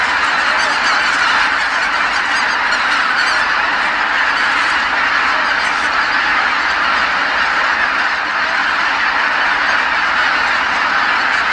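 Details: Huge gathering of geese, tens of thousands strong, returning to Kabukuri-numa marsh as night falls after feeding, as happens every evening; steady roaring mass of honks, the marsh filled with calls from start to end.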